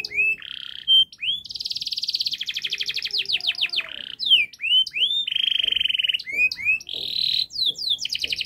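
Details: Long, rapid canary song used to train young canaries: sharp rising whistled notes alternate with fast rattling trills and steady ringing tones, the phrases changing every second or so in a dense unbroken stream.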